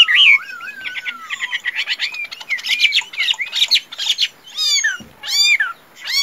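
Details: Tame caged Chinese hwamei noted for singing and fighting, giving a long wavering whistle, rapid buzzy chattering notes, then loud swooping descending whistles.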